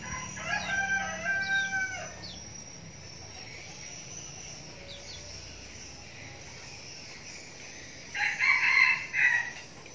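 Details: Young male red junglefowl kept as a decoy bird gives two short, hoarse, stepped crows, one near the start and one near the end, with a steady insect chorus buzzing throughout.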